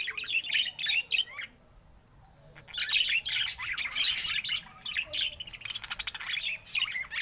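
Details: ['Budgerigar said to look happy today: rapid, dense chirping and warbled chatter, broken by a short quiet gap, then a fast run of clicky ticking notes.']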